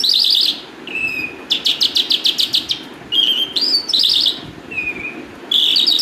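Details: A calandra lark delivers bright chattering bursts, steady whistled notes, and a run of about ten quick repeated notes, with rising and falling slurs between phrases.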